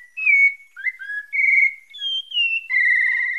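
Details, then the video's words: Pale-breasted thrush from Bahia, Brazil, singing a series of clear whistled phrases, some sliding downward and others held steady, separated by short pauses, with no other sounds. "SABIÁ PARDA DA BAHIA SANTA FÉ"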